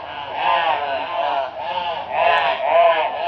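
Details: Crows harassing a barn owl in Brisbane, Australia, 22 February 2022: a run of loud, harsh, drawn-out caws with wavering pitch, roughly four overlapping calls in quick succession.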